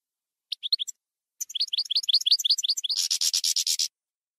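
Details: European goldfinch singing campero style, 2020/2021 recording: a short burst of rising chirps, then a long run of fast twittering notes flowing into a loud, harsh rattling buzz trill; quiet background.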